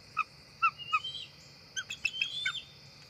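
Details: Two adult bald eagles arriving at the nest tree before dark, NCTC nest, October 4, 2023; three short clipped notes, then a rising whistle and a cluster of sharp chirps, over a steady high insect hum.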